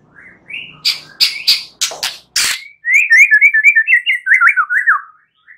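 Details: White-rumped shama singing at night to encourage singing: a short whistle, a series of loud harsh clicks, then a fast rhythmic string of about twelve zigzag whistled notes.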